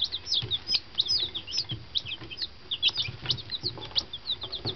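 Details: Day-old fancy chickens in a new henhouse peep steadily; many brief high chirps, some rising and some falling, tumble over each other, with faint low thumps and rustling beneath.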